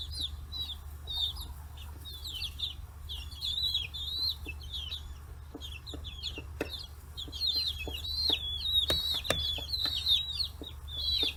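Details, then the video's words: Free-range chicks, forty days old, crowding around fish heads on a farm in Hiroshima Prefecture, Japan; constant overlapping high chirps from many birds, frequent sharp pecking knocks, and a low steady hum. "chicks chirping sounds"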